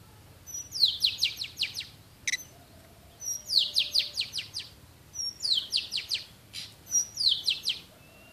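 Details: An Oriental magpie-robin (Copsychus saularis) at a bird trap sings a rapid run of five or six sweet notes sliding downward, repeated about every two and a half seconds, with brief sharp chips between.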